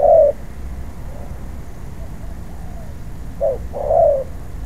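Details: Spotted dove, a wild-caught bird in training as a ground decoy, giving low mellow coos: one note at the start, then a short note and a longer rolling coo after a pause, over a steady low rumble.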